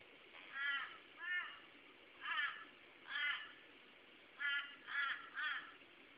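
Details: Torresian crows call to each other on 8 February 2012, giving harsh, nasal caws in groups of two, two, then three, about half a second apart, against a quiet background.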